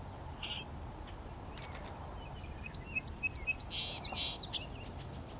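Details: Song sparrow on Prairie Island, AE Wilson Park, West Regina, Saskatchewan, Canada, 30 May 2017, sings a quick, bright phrase: a lone high note, then rapid chips tumbling into a dry buzzy trill, over a faint hum.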